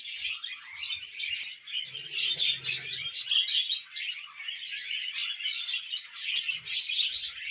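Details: Pet budgerigars warbling continuously, scratchy chirps and whistled notes layered densely, with a soft low hum around two to three seconds.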